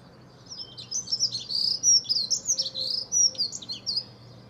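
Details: A Dunnock sings in a back garden, dated 9/4/14: one loud, continuous, rapid warble of high, squeaky notes tumbling up and down for about three seconds, with a faint low hum beneath.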